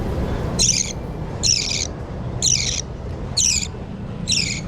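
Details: Hand-fed budgerigar chicks give five insistent, scratchy, high-pitched begging calls, evenly spaced about one second apart, over a steady low room rumble.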